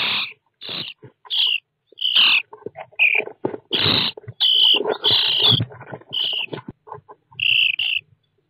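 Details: Common starling nestlings inside a nest box fitted with an IP surveillance camera, 29 June 2017: harsh, raspy bursts come in quick irregular succession, some with a squeaky upper edge, alongside soft rustling and shuffling in the box.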